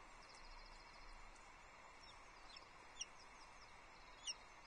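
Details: Osprey chick at the Loch Arkaig nest on 9 July 2022 as breakfast arrives: thin, high chirps scattered through a steady hiss, with two sharper, louder squeaks standing out near the end.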